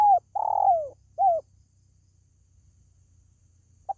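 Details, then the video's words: Spotted dove call, used to lure pet birds at home: a short coo, then a longer sliding note that falls in pitch, a third brief coo, and after a pause a faint clipped note; a low steady hum runs underneath. "SUARA PANGGILAN BURUNG TERKUKU"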